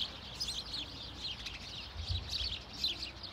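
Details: Flock of house sparrows calling to keep in contact in a Sundsvall park, Sweden, late November 2023: quick, overlapping chirps and cheeps in rapid bursts, steady chatter with light background rumble.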